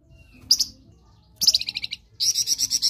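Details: Flamboyan in a master recording meant for training other birds, singing in the ngerok style: short high chirps, then a fast stuttering trill and a longer run of rapid buzzy notes, with gaps between them.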